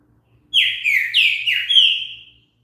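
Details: Green-winged saltator singing, a recording meant to encourage other birds to sing: one rich whistled phrase of three or four sliding notes, each dropping then leveling, lasting about two seconds, clean and quiet background.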